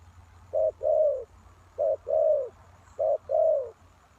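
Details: Spotted dove cooing used as a lure for wild doves, three pairs of low hollow notes, each a brief coo followed by a longer drawn-out one, about every one and a quarter seconds, with faint background hum.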